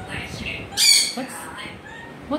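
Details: A pet African grey parrot lets out one loud, harsh squawk, then several softer clicks and chatter notes, with a person talking to it just before.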